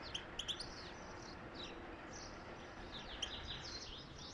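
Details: Goldfinch song meant to stimulate mating. It opens with several sharp, bright chirps, then runs into a continuous high twittering of slurred, buzzy notes, all against a low, even hiss.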